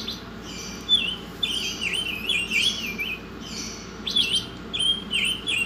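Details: Oriental magpie-robin singing a varied, high whistled song: sliding and wavering phrases, with short chirps and a quick buzzy burst near the fourth second, separated by brief pauses, over a soft low hum.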